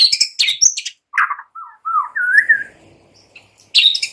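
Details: Morning lure song of a white-rumped shama: sharp high chips, then a pause before a rolling, rising whistled phrase, closing with another burst of high chirps.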